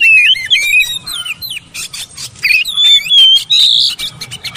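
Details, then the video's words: Oriental magpie-robin song used as a training recording to prompt silent, reluctant birds to sing: loud, varied whistled phrases, sliding and warbling notes with squeaky high trills, delivered in quick bursts separated by short pauses. "TERAPI MASTERAN BURUNG KACER BISU MALAS BUNYI"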